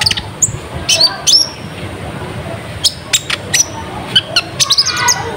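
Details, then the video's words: Sunbird (kolibri ninja) lure song meant to draw wild birds, which answer and gather. Short high, thin whistled chips and sharp upward flicks come in scattered bursts over a low rumbling background. "Suara Pikat Burung Konin Gacor Full Ngobra, Konin Liar Langsung Nyaut Dan Ngumpul"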